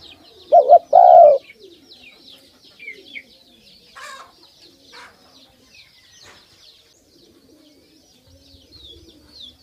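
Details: One low two-part coo from a pet dove at the start, a quick double pulse then a longer falling note, after which only faint high chirps and light clicks remain.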